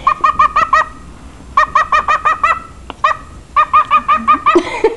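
A bird gives short, harsh barking notes in quick bursts of four to six, pausing between runs; a person laughs briefly at the end.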